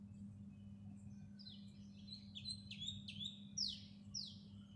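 A house sparrow gives a run of short, bright chirps, irregular and quickening, over a steady low hum.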